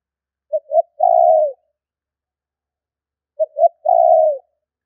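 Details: Lure call of a spotted dove: two clipped introductory coos lead into one long, smooth, slightly descending coo; the three-part phrase repeats twice, roughly three seconds apart, with nothing else audible.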